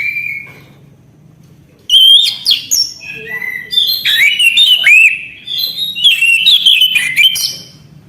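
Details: Orange-headed thrush singing a loud, varied phrase of sweet whistles, squeaky upslurs and scratchy chattering notes after a quiet opening second, continuing almost unbroken to the end; low hum underneath.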